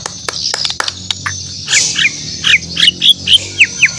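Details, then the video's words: Morning song of a Borneo white-rumped shama. Sharp clicks come first, then a run of short, bright chirped notes, about two per second, that grow louder toward the end. "The Best Bird Singing In The Word || Murai Batu Borneo"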